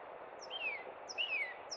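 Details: Northern cardinal at Cub Run in spring giving repeated loud downslurred whistles, about one every half second, over steady ambient noise.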